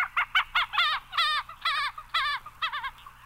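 Common Gallinule giving a rapid, uneven series of about a dozen harsh, nasal, chicken-like clucks, some drawn out and wavering, over a quiet background.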